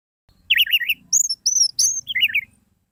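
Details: Orange-headed thrush singing as a lure for silent birds: rapid warbled zigzag notes, then higher thin whistled slurs, then another short warbled burst, all in quick, varied phrases.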